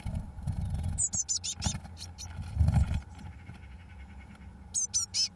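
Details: Blue tit chicks 21 days old leaving the nest, 1 June 2012: scattered high, thin, wavering squeaks mixed with frequent scraping and knocking, ending with a short burst of shrill calls.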